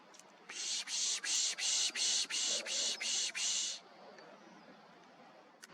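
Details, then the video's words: A Golden-cheeked Warbler's high, buzzy song: about nine harsh, wheezy notes in quick succession, lasting roughly three seconds, against a quiet background. "Golden-Cheeked Warbler"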